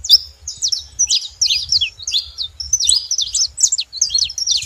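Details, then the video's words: Group of saffron finches producing high, choppy chirps in short clusters, each burst a few quick zigzag notes, with brief gaps between bursts; faint low hum underneath. "Canário da terra junto fazendo barulho"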